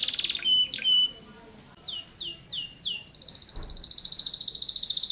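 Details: Canary with a buzzy trill and two pure whistled notes, a short gap, then four slurred downward swoops and a long rapid pulsing trill; a faint knock partway through.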